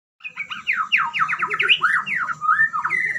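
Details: White-rumped shama, a fighter-style bird, singing a rapid run of loud whistled and warbled notes that sweep up and down, with quick slurred phrases packed together and a low hum underneath.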